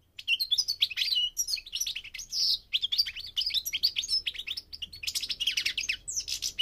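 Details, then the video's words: Energetic goldfinch song recorded during migration, a nonstop stream of bright twittering, slurred whistles and buzzy trills, with faint low background hum. "The singing of the migrating goldfinch"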